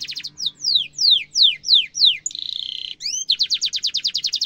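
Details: Canary with a sharp roll, used to coach young canaries: a row of loud descending whistles, a short buzzy tone, then fast repeated trill notes.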